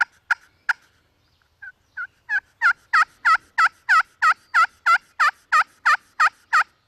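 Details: Angry wild turkey hen attacking a hunter's decoy: two sharp notes, a brief pause, then a steady, evenly spaced run of loud, raspy yelps, about three per second, building in volume and holding strong to the end.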